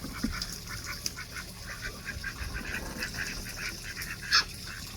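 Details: Ducks at play in a Florida backyard garden, giving a busy run of short, nasal calls that repeat steadily throughout, with one louder, sharper note near the end over soft background noise.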